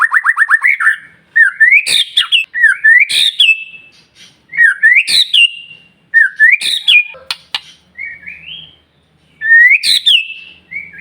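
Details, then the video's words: White-rumped shama song used as a provocation for other shamas: an opening fast trill, then repeated rising whistled phrases each topped by a sharp high crack, spaced by short silences. "murai batu gacor SIANG MALAM GACOR TERUS, Cocok Untuk Memancing Emosi Burung Murai NGELOWO"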